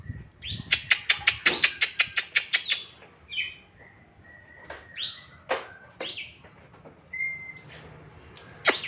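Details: Oriental magpie-robin, which reportedly sings well at home but not on the contest field. A fast series of about a dozen rhythmic chipping notes runs into clear, drawn-out whistles and upward slurs, then ends in a sharp burst.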